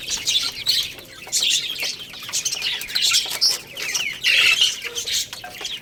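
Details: Little chicks chirp constantly while they play and eat. Many high, thin peeps overlap in a busy, continuous twittering that swells and fades.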